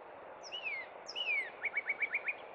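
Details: Springtime northern cardinal at Cub Run: two long falling whistles, then six quick, evenly spaced short notes, with background hiss.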